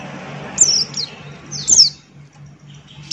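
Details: Male Buxton's white-eye in ngalas-style song: a few isolated, very high, swooping whistles sliding downward, spaced by short pauses, against a steady low hum.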